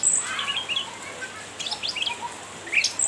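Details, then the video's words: Brief burst of cucak ranting chirps meant to goad a rival: a few high twittering notes, a short pause, then a cluster of quick, rising chirps. "Burung cucak Ranting gacor nyrecet menggoda lawan"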